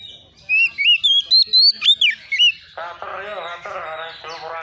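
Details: Oriental magpie-robin, untrained, answering a rival: a run of loud, bright whistled notes roughly twice a second with a sharp rising flick, followed by a harsh, rasping, buzzy chatter.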